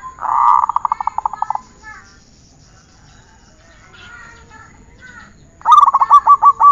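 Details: Zebra dove song on a training recording: a dense, buzzy burst of quick cooing pulses, then a quiet stretch with soft twittering, and finally a clear phrase of separate ringing coo notes.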